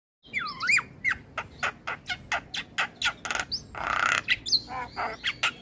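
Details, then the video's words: Javan myna master song for training other mynas to sing more: an opening looping whistled phrase, then a run of sharp, harsh, broadband notes, roughly two per second, with a brief noisy rasp near the end. "Masteran Jalak Kebo Terpopuler Tayang Setiap Hari Bikn Jalak Makin Gacor"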